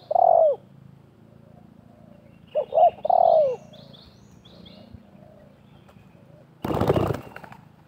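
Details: Spotted doves, a wild bird and a decoy, calling in contest at a trapping site. One coo ends a phrase, then a full phrase follows: two quick coos and a drawn-out falling note. A brief loud rustling burst comes near the end.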